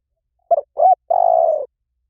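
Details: Spotted dove, a lure recording in the 'liu tan' calling style, played to train another dove to call back. One quiet phrase: a short coo, a rising coo, then a long, steady, slightly falling coo. No other sounds.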